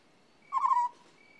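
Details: Single purring call of an African scops owl, low-pitched and trilled, lasting about a third of a second, with a faint steady high whine in the background.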